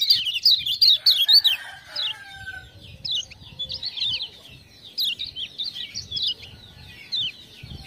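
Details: Lemon-bellied white-eye from Lombok, a tutor bird for other songbirds, singing energetically after "ciak-ciak" prompting: loud quick twittered runs at first, then repeated short high warbled phrases spaced by brief gaps.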